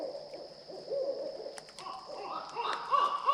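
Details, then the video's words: Wild barred owl hooting in a northwest Florida swamp, heard during a hog hunt: low, rounded hoot notes in a loose series, then a few higher, sharper notes, over a steady high insect drone. "Barred owl"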